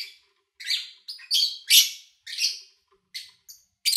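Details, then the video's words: Short squawky lovebird chirps in quick separate bursts, harsh and high-pitched, from an August 2019 recording made while the owner was out of town. "Sounds of Lovebird Chirping"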